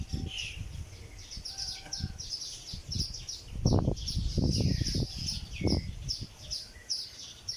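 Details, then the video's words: Sparrows building nests of palm leaves chirp in quick, high, scattered notes throughout, over low rustling and thumping handling noise. "Sounds of birds when it does nests of palm leaves"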